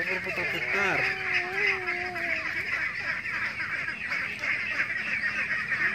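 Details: Crowded pen of ducks, including ducklings and laying-type ducks, giving a constant overlapping stream of raspy quacks. A brief wavering tonal sound appears near the start, then the flock's chatter continues unbroken.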